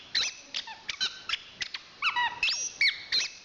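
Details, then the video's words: Chestnut-capped thrush, a national contest winner, gives short sharp chirps, then a burst of bending whistled notes and a long high rising whistle, in a squeaky, varied phrase. "Suara Kicauan Burung Anis Kembang Juara Nasional"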